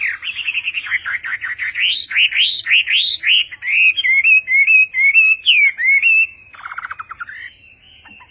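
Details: Chinese hwamei giving Vietnamese-style song, rapid rising whistles, then a long wavering trilled phrase, and finally softer chattering notes.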